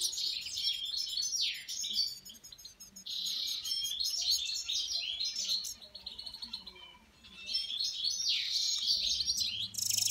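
A goldfinch–canary hybrid sings a fast, high twittering song of bright trills and chirps in long bursts with brief pauses.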